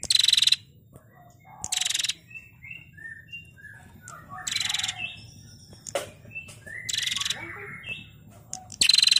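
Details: Female prinia (prenjak) in a training recording for cage songbirds, giving harsh, rapid buzzing rattle bursts every couple of seconds, interspersed with softer short chirps and whistled notes at lower pitch.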